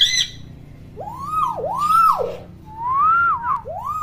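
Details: Chatty common hill myna used as a tutor for young mynas: a brief harsh note, then paired arching whistled loops with buzzy overtones, followed by a drawn-out wavering whistle and a final rising swoop.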